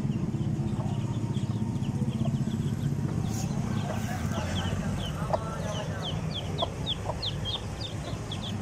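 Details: Newly hatched black Aseel chicks peeping: rapid, thin, high downslurred peeps repeat many times a second throughout, over a steady low rumble and hum.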